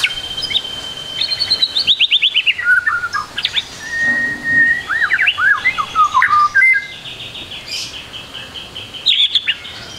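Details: White-rumped shama tutor song for young birds, packed with varied phrases: a long steady whistle into a descending rapid trill, then looping slurred whistles and a bright high rattle near the end.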